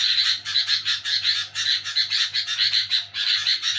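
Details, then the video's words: Sooty-headed bulbul at night while people sleep, making a noisy chattering call: harsh, rasping bursts in quick succession with short dips between them, over a faint low steady hum. "Di Saat Orang Pada Tidur Burung Kutilang Bunyi Nyerecet ribut di malam Hari"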